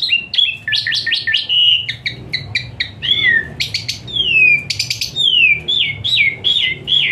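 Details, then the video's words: Lazy-singing Asian pied starlings are given this richly varied song as therapy: a fast jumble of whistled notes, buzzy stacked strokes and long descending slurs, packed densely with barely a pause. "Full Isian Mewah TEMBAKAN PANAS Khas Jalak Suren UNTUK TERAPI Jalak Suren Malas Bunyi Jadi Rajin"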